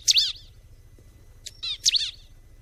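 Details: Bar-winged prinia singing: two short, high, sharply bending chirp notes with sweeping overtones, about a second and a half apart, on a quiet background.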